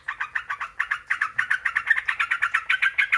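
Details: Sooty-headed bulbul singing to provoke other bulbuls to answer, a steady rapid series of rough chattering notes at roughly three per second, rising slightly in loudness toward the end.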